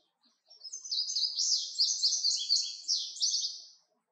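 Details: Indigo bunting singing one phrase about three seconds long: a quick run of high, sweet, paired and slurred notes, some rising and some falling, that ends in a fading buzz. The background is otherwise quiet.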